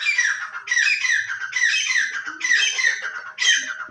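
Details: Indian desi parrot: five loud, harsh, raspy squawks, each about half a second long and repeated roughly every second, in a quiet setting.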